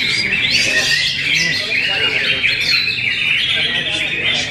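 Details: A greater green leafbird sings a lively run of high twittering notes and quick slurred whistles. Some voices can be heard in the background.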